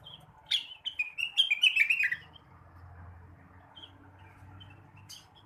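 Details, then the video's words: Blue-winged leafbird heard in the morning with a short burst of sharp notes and fast, scratchy warbling, followed by a few faint distant chirps over low hum. "kicauan rengganis atau cucak wilis di pagi hari"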